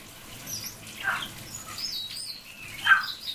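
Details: Common hill myna calling for its friend by name: two hoarse, rising whistled calls about two seconds apart, with faint higher chirps between them.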